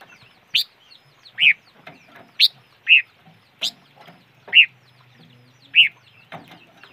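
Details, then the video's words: Repeated bright chirping from a bird locally called noog rheeb or chim ngũ sắc: seven or eight short ringing notes in under seven seconds, some higher and sharper, with light clicks and a soft hum behind. "Suab noog rheeb quaj chim ngũ sắc"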